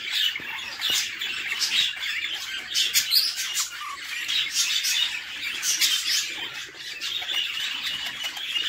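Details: Nestling budgerigars beg noisily while the female feeds them in their nest box, a steady wash of rasping, scratchy high chirps rising and falling in short waves.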